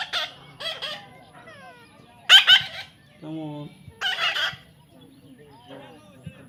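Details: Young parrot during hand-taming, giving harsh, noisy squawks in short bursts, one loud cluster near the middle and another later, while a person coaxes softly with words in between.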